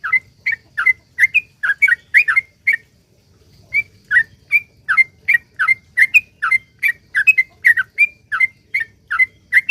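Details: Sooty-headed bulbul's long rapid song, 'ropel panjang', played to coax other bulbuls into singing: chains of quick fluty slurred notes, interrupted by about a second of silence, then resuming at full pace.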